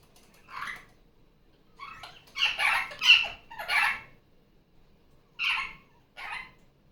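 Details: Captive female Barraband parakeet, loud again after leaving her nest, during Sunday morning play. A burst of harsh, grating squawks, several in quick succession in the middle, then two isolated screeches; the room is otherwise quiet.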